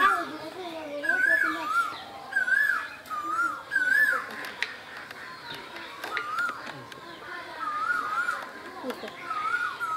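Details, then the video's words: Asian koel in spring, Bangladesh, sending out a series of wavy whistled notes, loud at first and fading later, amid busy background chatter and clicks. "বসন্তের কোকিল, কোকিলের ডাক"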